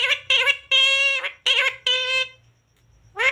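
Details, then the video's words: Talking parrot repeating words, including mummy, papa and radhe radhe; five quick, bright, nasal syllables with rich harmonics, then a pause and the start of another rising note. "Parrot talking mummy papa talking radhe radhe राधे राधे बोलने"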